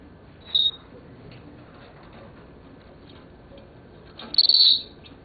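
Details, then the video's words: Pet Senegal parrot, a seven-year-old male reported as talking, gives two short high notes about four seconds apart, the second more buzzy and stuttered, with soft background hum between them. "Senegal Parrot Talking"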